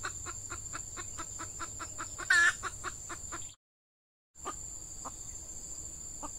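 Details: Female red junglefowl used as a decoy to lure wild males in peat scrubland during the active season. Quick, even clucks are broken by one loud harsh squawk, then a brief silence, over a steady high insect whine.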